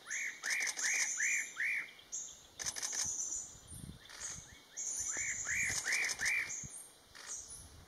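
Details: Spot-breasted parrotbill calling: quick series of about four arched, down-slurred whistled notes, given twice with a pause between, alongside thin high steady tones and bursts of wing flutter.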